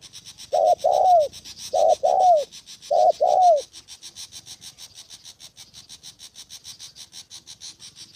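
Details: Decoy spotted dove used for trapping in Gia Lai, Vietnam, on the 2 September holiday utters three quick paired coos in the opening seconds. Steady rhythmic insect pulsing then takes over for the rest.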